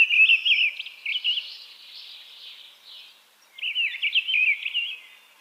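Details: Mistle thrush delivering its song in quick, wavering fluted phrases, one at the start and another after a short silence, each about a second long and slightly varied.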